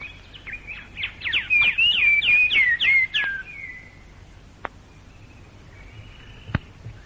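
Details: Plain babbler singing later in the day in Malaysian rainforest, late 1950s to early 1960s: a loud burst of fast chattering notes interwoven with whistled slurs lasting about three seconds, followed by near silence and occasional clicks.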